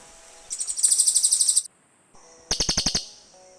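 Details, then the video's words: Cililin birds answering each other, used to lure birds in forest: a high, thin series of about a dozen quick repeated notes, then after a pause a burst of five loud rattling ticks. "SUARA BURUNG CILILIN"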